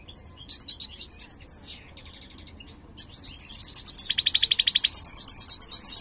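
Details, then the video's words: European goldfinch, mutated, of the major form, singing; its song is called poor. Scattered scratchy twitters and a brief pause lead into a loud, fast, metallic trill of sharp repeated high notes that keeps building to the end. "jilguero mutado cantando (jilguero mayor)"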